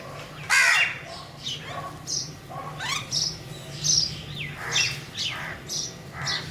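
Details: Crows cawing in short, harsh, hoarse calls repeated roughly every half second to second, some rising or falling, over a steady low hum.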